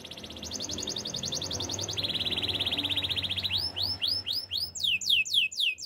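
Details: Canary singing a fast, high trill of rapidly repeated notes that drops to a lower, buzzier rolling tour, then shifts into slower, rising whistled swoops repeated about twice a second.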